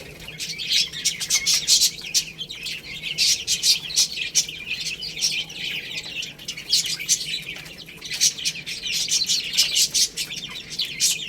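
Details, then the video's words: Several baby chickens chirp constantly while eating rice, forming a busy wash of shrill peeps that swells and fades in waves, with clicking sounds mixed in. "Beautiful Chicks Chirping Sounds"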